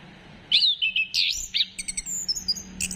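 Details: Orange-headed thrush singing as a lure to stimulate other birds to sing: after a short quiet start, loud sweet whistled slurs give way to quick, thin, high twittering notes, over a faint steady low hum.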